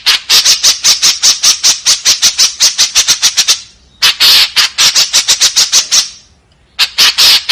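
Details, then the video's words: 'Tembakan kasar' calling from a white-breasted woodswallow: streams of harsh, buzzy notes at a rapid pace in three bursts, separated by short silent gaps. "SUARA BURUNG KEKEPBABI TEMBAKAN KASAR"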